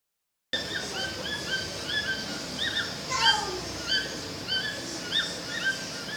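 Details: Pair of toucans singing in forest near Manaus, Amazonas, Brazil: rich, harmonic yelping notes, each briefly upslurred, repeated roughly every half second and overlapping in uneven rhythm, with a steady background forest hiss.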